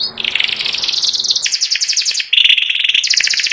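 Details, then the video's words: White 'panda' canary with symmetrical markings, ready for contest, in ngeriwik song style: dense, rapid trilled chirps high-pitched, shifting between fast buzzy rolls and brighter repeated notes without pause. "burung kenari putih panda ngeriwik⁉️siap gantang"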